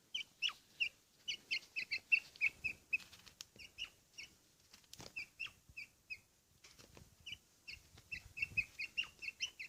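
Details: Quail primed to fight in Pakistan: high, thin, short chirps in quick irregular runs, each note bright with an overtone, separated by brief pauses, with faint wing flutters and rustling beneath.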